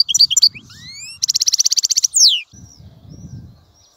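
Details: European goldfinch giving a few high chirps, thin rising whistles, then a rapid even rattling trill and a downslurred note, followed by quiet with faint low background rumble.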